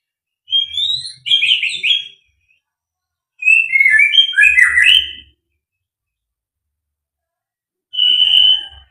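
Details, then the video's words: White-rumped shama (murai batu), a 'fighter full materi' singer, delivers rapid clusters of varied, warbling whistles, rising and falling. Three phrase groups are broken by pauses, with a faint low thumping beneath them. "burung murai batu fighter full materi"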